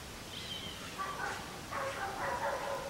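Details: Cream-backed Woodpecker (Campephilus leucopogon) in Corrientes, Argentina, giving a short run of nasal, squealing calls in quick succession after a thin higher note, against a steady background hiss.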